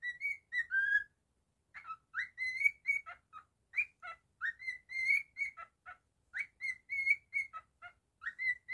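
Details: Pet cockatiel whistling a lively song of clear, slurred notes, many rising sharply then holding steady, in quick bursts with a brief pause near the start, indoors and otherwise quiet.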